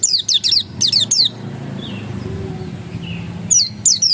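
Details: 'Ngotot' song of the oriental white-eye (pleci dakun): a few quick clusters of very high falling twitters, a pause with faint soft notes, then two more sharp chirp bursts.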